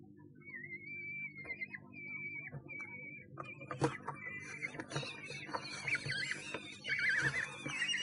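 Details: Common kestrel filmed by a nest box camera in Sussex on 1 June 2011: a few drawn-out, level whining notes in the first three seconds, then a busier stretch of overlapping wavering calls and rustling over a steady low camera hum.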